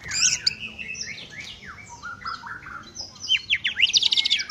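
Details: Greater green leafbird in dense, scratchy song, with overlapping chirps, slurred whistles and rapid trilled bursts near the end, over a noisy low background.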